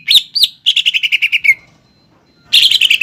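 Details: Greater green leafbird singing energetically in the 'nembak ngekek' style, a lure for young or 'kuningan' birds to imitate: two swooping whistles, then a quick falling series of clipped notes, a silent gap, and another dense chattering burst.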